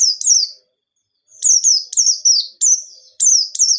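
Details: High, sweet white-eye song used as a lure to make other birds sing: a pair of chirps, a pause, then a rapid chain of sharp, downward-sliding notes.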